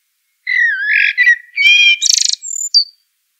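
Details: A common blackbird delivers one rich caroling phrase: rolling low whistles that climb into a bright, scratchy, high-pitched twitter and finish with a thin squeak.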